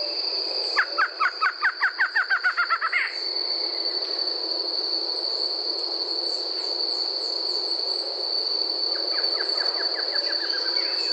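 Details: Brazilian Barred Antshrike, also called maria-cocá. Its song is a run of about fifteen nasal notes that quicken over two seconds. A softer run comes near the end. A constant shrill insect drone fills the background.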